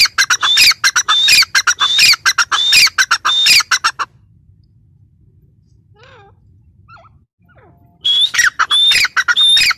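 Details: Female grey francolin (teetar) giving a loud series of harsh, squawking notes with a whistled tone, pausing for about four seconds of near silence with a faint wavering whistle, then resuming.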